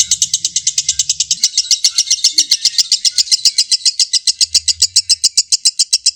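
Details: Lovebird's 'ngekek' song meant to trigger rivals into an excited response: a long continuous run of shrill, evenly spaced chirps, around seven every second, with brief low rumbling noise at the start and near the end.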